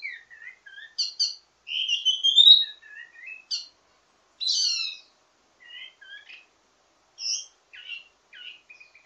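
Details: Wambi mini songbird delivering a varied ledekan teasing song, a training model for birds of the same kind: scattered sharp chirps, a rising whistled slur, buzzy high flourishes and short notes separated by brief gaps.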